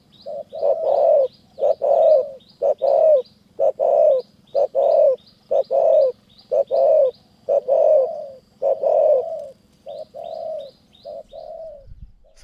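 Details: Spotted dove cooing at a decoy trapping site in mountain forest, Kanchanaburi, Thailand: a long, regular string of soft hooting notes in pairs, roughly one per second, with high, thin chirps from another bird and a low thump at the end.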